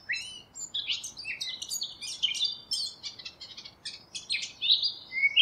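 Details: Eurasian blackcap singing: a long run of varied, rapid chattering and warbling notes, some whistled phrases rising toward the end, over a soft background hiss.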